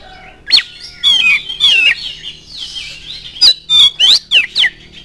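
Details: Oriental magpie-robin lure song intended to provoke rivals to sing: a sharp upward note, several sweeping slurred whistles, a soft gap, then four quick loud upslurred whistles.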